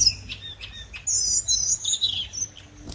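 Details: Scarlet minivet lure song: a few short high chirps, then a rich warbled phrase of sliding whistled notes that drifts downward before fading.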